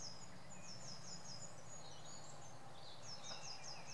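Thin, very high notes from a Eurasian blue tit, given in quick runs of four or five, over a steady low rumble of background noise.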